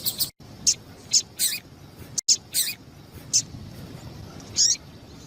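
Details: Call of a female double-collared seedeater, used to set males singing. Bright, high chirps come in an irregular series, roughly two per second at times. Two brief gaps of total silence interrupt the sequence.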